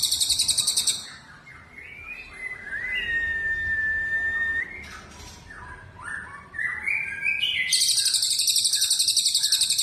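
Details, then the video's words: Songbird in a training compilation of cucak jenggot, cililin and canary songs: a rattling high trill opens, followed by a long steady whistle and rising slurred notes, ending in another sustained fast trill. "masteran cucak jenggot cililin kenari"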